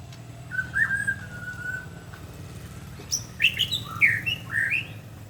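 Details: White-rumped shama singing in a "batuk kerikil" (pebble-cough) style: a long, steady, low whistle, a pause, then a quick series of varied, clear whistled notes over a faint low hum.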